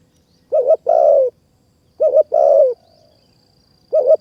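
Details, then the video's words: Spotted dove cooing at a decoy-bird trapping spot in high forest of Kanchanaburi, Thailand; two full phrases and the start of a third, each a twin short note then a long descending coo, with a faint thin whine in the background. "นกป่ามาเร็วมาก ดินแดนนกต่อ นกเสียงดี | ต่อนกเขาใหญ่ป่าสูงเมืองกาญ"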